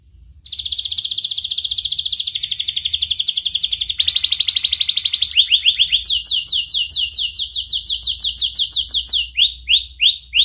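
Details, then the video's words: Young canary singing loud and clear, used as a master lure for teaching young and lazy canaries to sing: a long buzzy trill, then switching phrases of rapid repeated notes and finally sweeping descending whistles. "Masteran Kenari Gacor MUDA Suara TAJAM, Pancingan kenari PAUD belajar Bunyi & pancingan kenari MALAS"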